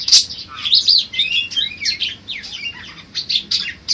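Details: Varied budgerigar song played as a training recording for songbirds, made of quick rhythmic bursts of scratchy chirps and short downward-slurred whistles that pulse louder and softer every half second or so.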